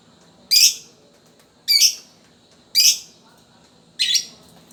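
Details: Lovebird of fighter type, used as a lure to make other lovebirds sing, uttering single loud, harsh, high chirps spaced roughly every second and a bit, four in total, against a quiet background hum.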